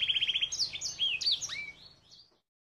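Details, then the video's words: Crested canary, filled-in song from Gunung Kidul: a fast rattling trill of repeated notes, then varied whistled upward and downward sweeps, ending in a descending glide and a fading final note, with no other sounds. "KENARI JAMBUL ISIAN GUNUNG KIDUL"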